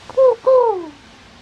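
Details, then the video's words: Pet dove indoors answering its owner's noises with two soft cooing notes, a short one followed by a longer note that slides gently downward and fades; quiet room background. "Dove reacts to me making noise"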